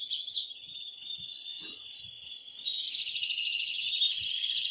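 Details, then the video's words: Excited male canary singing to stimulate a female to mate, opening with rapid descending sweeps then a continuous dense high trill, with faint low knocks beneath. "تغريد قوي جدا كناري هائج لتسميع الفراخ | canary singing"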